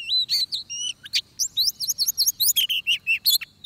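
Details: Oriental magpie-robin singing at a trapping site in Vietnam: a rapid run of clear, high whistled notes, some sliding and some warbled, packed into short bursts with brief pauses, over quiet, faint low background rumble.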